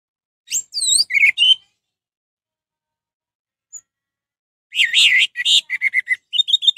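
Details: Orange-headed thrush song, used as a lure to provoke other orange-headed thrushes into singing: two bursts of varied, high, sweet whistled phrases and quick trills, separated by about three seconds of silence.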